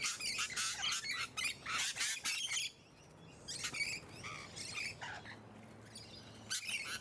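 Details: Rapid, strident screeching, nearly continuous for almost three seconds and then in shorter harsh bursts, from musk lorikeets up close in leafy Hunters Hill, Sydney, Australia, November–December 2020.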